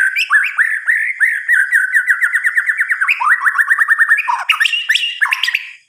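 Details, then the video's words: White-rumped shama at night giving a long unbroken song: fast, evenly repeated upslurred whistled notes that speed up into rapid runs, then switch to varied higher notes. "Suara Kicauan "MURAI BATU" di Malam Hari"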